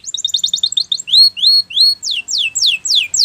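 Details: Spanish Timbrado canary training song: a quick run of short high chips, then three rising slurred whistles, then a series of steep descending sweeps, each phrase repeated several times at a fast, even pace.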